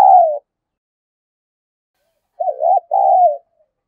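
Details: Spotted dove used as a decoy to provoke fighting: the tail of one falling coo, a two-second gap, then a quavering note followed by a smooth descending coo.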